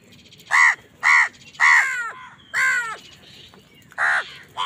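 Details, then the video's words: Angry crows fighting other wild birds for food: loud harsh caws, three quick ones then two more with a hoarse, downward-bending tail, with faint chattering of other birds between them. "Wild birds fight with crows for food | Crow bird unity anger and sund | Angry kawa ki awaaz"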